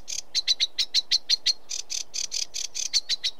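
A sedge warbler sings a fast, restless chatter of harsh, scratchy notes mixed with brief sweet whistles, several notes each second with no pauses.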